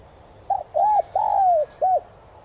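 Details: Lure spotted dove in the standard 'son' voice: soft double opening note, an arched coo, a long descending slurred coo and one final short hoot, mellow and low-pitched.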